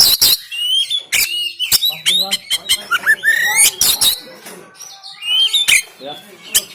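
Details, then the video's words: Energetic oriental magpie-robin song, Banten, recorded by phone as training material for caged birds reluctant to sing: fast alternation of harsh snapping notes and upward-sweeping clear whistles, with a few lower warbles. "KACER TEMBAKAN KASAR‼️Full Emosi Dongkrak Kacer Yang Malas Bunyi Dan Buka Ekor"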